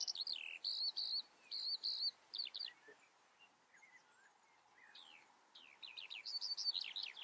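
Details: Eurasian skylark giving high chirping phrases and quick slurred whistles, pausing briefly midway with faint background noise, then resuming with a fast rippling burst.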